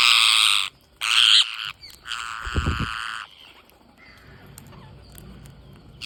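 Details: Green parrots during feeding, loud grating screeches in three long bursts over the first three seconds, then quieter scattered calls, with a few low knocks in between.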